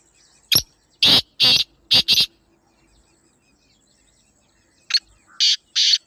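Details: Black francolin giving harsh, scratchy notes in two runs: five rapid grating syllables, a gap of about two and a half seconds, then three more, against near silence.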